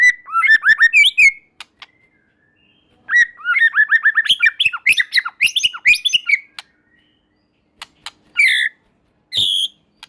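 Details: A murai batu (white-rumped shama) song to lure a response from other shamas: fast tumbling runs of sweet, swooping whistles, then a pause and two short harsh buzzy notes.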